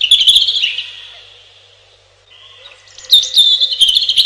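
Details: Robin singing: a loud, thin warbled phrase opens, fades into a quiet pause of over a second, then a bright, jittery high phrase returns and runs to the end.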